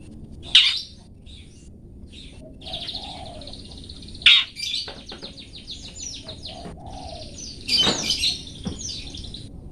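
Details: Long-tailed shrike song of the 'toet toet' type, recorded as a master for cage-bird training: sharp harsh blasts at intervals, linked by long buzzy trilled phrases and rapid chattering notes near the end.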